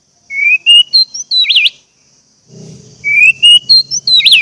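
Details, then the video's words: Orange-headed thrush song used as a lure to make silent caged birds sing quickly: two loud bursts of clear whistled phrases, rising slurs and a wavering twist, separated by a pause; a low steady hum joins in the second half. "pancingan anis merah agar anis merah macet cepat bunyi dan gacor"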